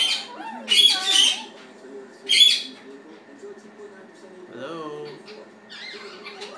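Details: Attention-seeking pet blue-fronted amazon, a male, hanging out with its owners: rough squawks, then softer chattering, talking-like sounds and a gurgling rise in pitch.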